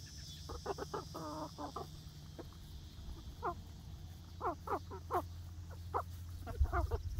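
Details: Young egg-laying hens on their first day in a new backyard outdoor run give short, scratchy calls and clucks in loose clusters, some quickly repeated, over a steady low rumble.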